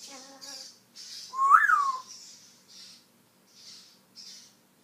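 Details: Pet African grey parrot speaking words from its vocabulary indoors: a low, voiced word-like utterance, then a loud whistled note that rises and falls, followed by scattered soft hissy rustles in a quiet room.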